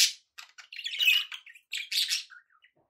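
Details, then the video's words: Pet budgerigars chattering: a quick run of scratchy chirps and warbling squawks, loudest in the middle, ending in a few soft, thin notes. "relaxing budgie sounds"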